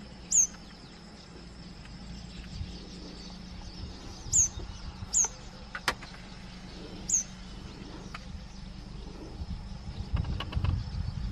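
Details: Southern red bishop in Kruger National Park, South Africa, giving four short, sharp, high chipping notes spaced a few seconds apart, over a low rumble and a faint steady insect hum.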